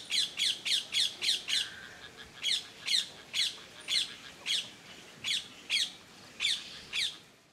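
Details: Black-crowned night heron (Nycticorax n. nycticorax) in Keoladeo Ghana National Park, India, November 2023: a fast series of harsh, squawking notes, about sixteen in seven seconds, bunched at first then spaced, over quiet background.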